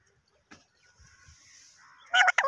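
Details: Pakistani parrot said to talk in Urdu, near silence with soft clicks, then a sudden loud, raspy, speech-like burst of rapid syllables at the end.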